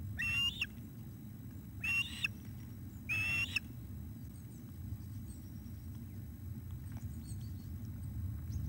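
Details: Osprey at the nest on 17 July 2021 at 19:48, an adult male bringing a fish for a chick. Three loud, high, whistled call bursts in the first four seconds, then quieter faint chirps over a steady low rumble.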